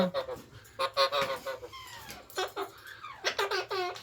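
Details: Kashmiri pahadi Alexandrine parakeet talking indoors: a busy mix of harsh, nasal mimicked syllables and squawky voice-like phrases, interleaved with a person repeating words back to it.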